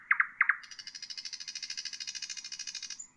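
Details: Common nightingale singing, a recording offered for tutoring bulbuls and songbirds: two quick doubled chirps, then a long, dry, buzzing rattle of rapid pulses lasting over two seconds, closing on a brief high whistle.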